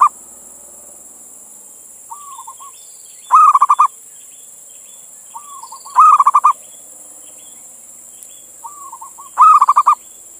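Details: Male zebra dove, local bird, calling a female; the recording serves to lure other doves or prompt them to sing. Three phrases about three seconds apart, each a quiet bent coo then a loud held coo and rapid pulsed notes, with steady hiss behind.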